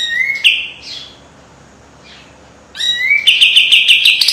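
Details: Short sharp fragment of kapas tembak white-eye master song: a rising whistle, a long quiet stretch, then a quick upward slur into a fast rattling trill.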